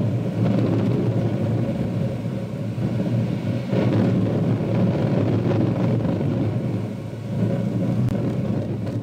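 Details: Continuous low rumble of traffic or engines fills the recording, rising and falling slightly, with no animal voices.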